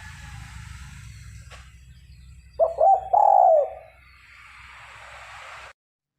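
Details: Spotted dove kept as a decoy for luring and trapping wild doves, a constant caller, giving one short cooing phrase: two quick soft notes, then a longer drawn-out coo. Faint hiss and low hum throughout.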